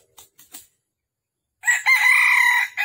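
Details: Red junglefowl crowing at a trapping site in Vietnam, morning of 13 December 2021. A few faint short clicks come first, then a loud harsh crow begins: a brief first note and a long sustained strained note.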